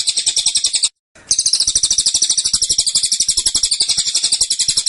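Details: Caged Black-winged Flycatcher-shrike (cililin) delivering dense, persistent 'tembakan' song: a high, buzzy rapid trill of closely packed notes, broken by a brief gap near one second, then continuing unbroken.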